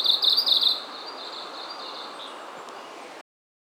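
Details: Wild Japanese leaf warbler singing at Oze, Japan, on a mid-August evening when the birds grew less wary near people; a single short, buzzy high trill lasting under a second, followed by quiet background.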